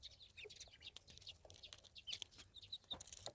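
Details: Ducklings peeping in a village setting: thin, high chirps come in scattered bursts, denser in the second half, over faint rustling and clicking background.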